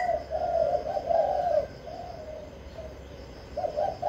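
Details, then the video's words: Spotted dove in captivity, Vĩnh Long, Vietnam, giving kích bổi cooing. A loud stuttering run of rough coos, then a quieter drawn note, a pause, and two final coos. "Cu gáy kích bổi mau nổi"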